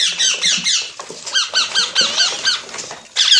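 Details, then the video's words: Parrot squeaks: a run of short, sharply rising chirps repeated about every quarter second, plus one long thin upward whistle, ending in a loud burst of harsh chatter. "Amazing Parrot Talking Sounds Videos | Parrot Voice| Mitthu Ki Awaaz | Parrot Ki Awaaz"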